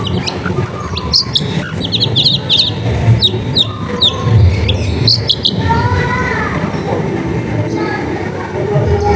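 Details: Long-tailed shrike singing, meant to draw out shrikes that have stopped singing, recorded in a busy residential setting. Fast high chirping phrases, then drawn-out descending harsh notes, with constant low background hum.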